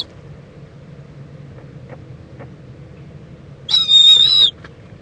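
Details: Owl in Indiantown, Florida, late morning, February 26, 2014, as a mother preens her owlet; quiet low hum, then a single loud, high, strained screech lasting under a second.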